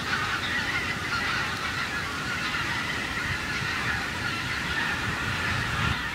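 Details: Flock of wild geese over corn stubble, calling constantly: many honking voices blend into one continuous clamour, set against a constant low-pitched background roar.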